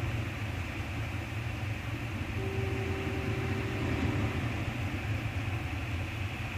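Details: Steady mechanical hum and low rumble with a brief flat tone midway, no animal voice.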